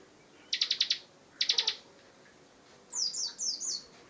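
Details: Ciblek, or Bar-winged prinia, in lively ngebren song: two rapid bursts of four to five sharp, high staccato notes, a pause, then four quick downward-sweeping whistled slurs.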